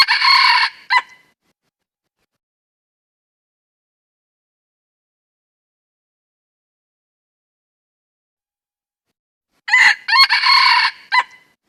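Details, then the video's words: Wild junglefowl giving two short, hoarse, choppy crows about nine seconds apart, with near silence between them. "Suab qaib qus qua cuab tuaj zoo heev"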